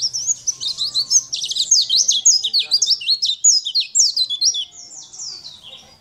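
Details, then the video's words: Sunda white-eye singing a champion-style song used as a tutor recording to teach other birds: a fast, continuous stream of high, sharp whistled and twittering notes. The notes rise and fall rapidly, fading toward the end. Faint low background hum. "Masteran pleci gacor"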